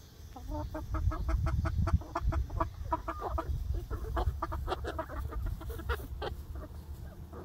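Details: Flock of young egg-laying hens on their first day in a new outdoor backyard run, giving rapid, overlapping short clucks, several per second, over a steady low hum.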